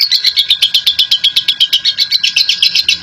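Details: Lovebird in a long chattering ngekek: a rapid even string of shrill, buzzy high notes at roughly four per second, dense and unbroken.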